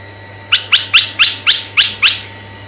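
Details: Red-eyed bulbul used as a lure for bulbuls of either sex: seven clipped, grating chirps rising in pitch, spaced about a quarter second apart, with a low steady hum behind.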